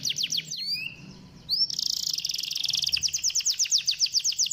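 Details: Canary song meant to prompt a lazy canary to sing: a few quick chirps and rising whistled slides, a brief pause, then a buzzy sustained trill breaking into steady repeated chirps.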